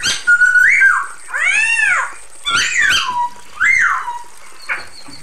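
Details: Female Chinese hwamei calling the male: a rising whistle and a harsh, arched rasp. Then comes a sharp, falling slur and a final upslurred whistle that fades down.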